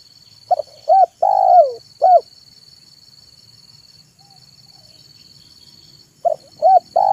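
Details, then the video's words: Zebra dove cooing in the afternoon as a lure for wild doves: two short notes, a long purring coo and a final clipped note, then a pause before the phrase starts again, over a faint steady whine. "SUARA BURUNG TEKUKUR MANGGUNG DI SORE HARI"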